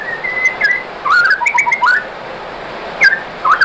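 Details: White-rumped shama song meant to provoke other shamas: a level whistle, then a cluster of slurred, warbling whistled notes and brief high chips, with quiet gaps between phrases.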